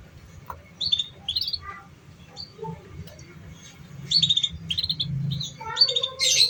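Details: Canary recording meant to stimulate young, untrained canaries to sing: scattered high, sharp chirps and short twittering notes in loose bursts over a steady low background hum.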